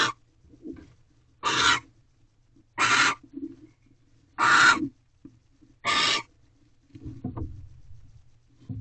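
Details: Barn owl pair in a nest box just after midnight in March, as the male brings a rabbit to the egg-laying female: five loud, rasping hiss-screeches, each about a third of a second, with soft shuffling and scratching between them.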